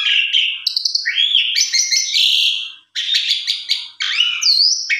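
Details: Javan pied starling lure song meant to draw a fast, full singing response: rich mix of whistles, rising slurred notes and rasping chatter, a brief gap near the middle, then a clean upslurred whistle.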